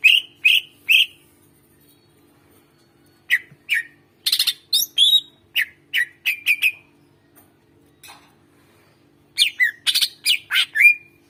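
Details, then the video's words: Energetic greater green leafbird song meant to coax silent birds into singing: clusters of sharp chirps and squeaky whistled slurs separated by short pauses, one quick burst ending in a drawn-out note. "suara masteran cucak ijo gacor ampuh buat pancingan burung yang susah bersuara"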